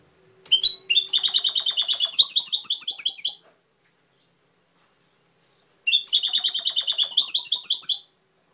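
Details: Goldfinch in Cobia Málaga style giving two matching phrases about five seconds apart, each a short introductory chirp and then a quick rolling series of high, bell-like repeated notes.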